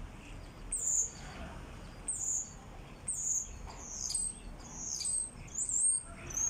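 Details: Common starlings back at their birdhouse in April, spring, singing: a run of high, thin whistled notes, some slurred upward and others falling, given about once a second over a soft low background murmur.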